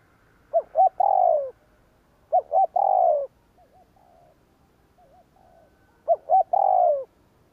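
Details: Spotted dove giving 'gù kích' provocative cooing: three phrases, each of two short clipped notes and a long downslurred coo, separated by quiet wavering murmurs, in a calm setting.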